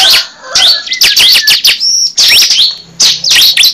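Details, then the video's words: High, rapid chirps from a cible bird used as a lure, delivered in groups with short silences between them, including a brief clear whistled note. "Pikat suara burung cible terbaru sangat ampuh"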